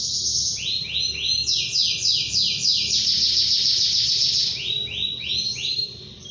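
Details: Canary singing long to challenge a rival: groups of rising, rolled notes repeated about three times a second, with a dense buzzy trill in the middle, over low background rumble.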